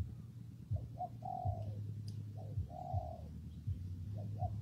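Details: Spotted dove calling through rainy, windy weather: short clipped notes, then a long even coo that drops off, repeated twice. A heavy low wind rumble runs beneath.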